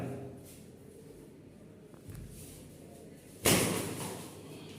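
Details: Quiet room hum broken by a single sharp slam or thud near the end; no animal voice is heard.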